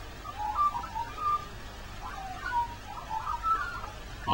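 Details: Magpie singing on Christmas Day in the rain: soft warbled, whistled phrases at mid pitch, rising and falling in short bursts, with a person speaking quietly nearby.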